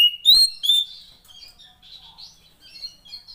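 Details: Female Oriental magpie-robin, a sound used to stir silent males into song: two loud rising whistled notes open, then a quieter spell of thin high twittering.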